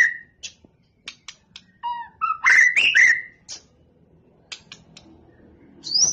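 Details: Murai batu, the white-rumped shama, in training for a song contest, giving scattered sharp clicks and then a burst of loud rising whistles and slurred notes, followed by quieter ticks and a final high upslur.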